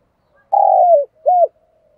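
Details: Spotted dove cooing: one long, low, slightly falling coo, then a shorter rounded note, with quiet surroundings.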